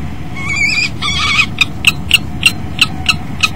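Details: Common kestrel pair at a nest box, 10 February 2012, 09:13: male enters the box, female lands on the rim and they mate; a harsh trilling squeal, then eight shrill 'kee' notes, about three a second, over a low rumble.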